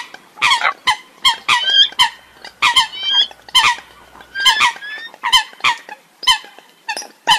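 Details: A flock of Eurasian coots recorded abroad, calling in a steady run of brief, harsh, honking notes. A few thin rising whistled notes are mixed in, and the calls come roughly every half second.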